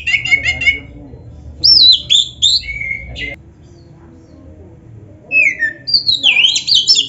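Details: Lively Oriental magpie-robin song used as a lure to make other magpie-robins reply: a quick chirping run, loud slurred whistles that sweep down, about two seconds of near silence, then more rising and falling whistled phrases.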